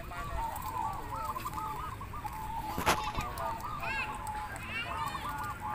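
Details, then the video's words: Contest zebra doves in Mranggen, Demak, a massed chorus of rhythmic bubbling coo phrases repeated and overlapping, with a loud clap near the third second and faint higher chirps later over background crowd noise. "Lomba Perkutut Ngoper Mranggen Demak"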